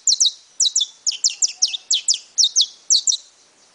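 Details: Saffron finch in brown (pardo) plumage giving high, bright chirps in quick pairs and triplets, each note dropping in pitch, with short gaps between groups.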